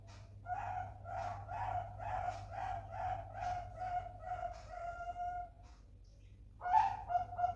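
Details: Young Bangkok-type zebra dove, a chick seen as a prospect for song contests, giving a run of soft, low cooing notes repeated about every half second, a short pause, then a fresh burst of cooing over a steady low hum.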